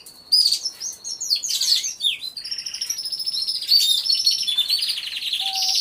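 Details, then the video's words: Caged canaries in an aviary, all singing at once and caught on a hidden camera: continuous high rolling trills and sweeping whistles layered over one another, ending with a short, lower, steady whistled tone. "CANTO DE CANARIOS | AVIARY SOUNDS (SONIDO REAL DE UN AVIARIO DE CANARIOS)"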